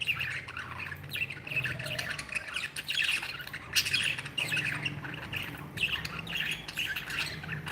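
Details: Pet budgerigars described as happy give steady scratchy chatter and chirps from several birds, with a low hum running underneath throughout.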